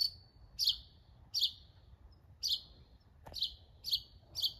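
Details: A mockingbird gives sharp, high, slightly harsh notes spaced about every 0.7 seconds, with one brief click-like sound midway and quiet surroundings.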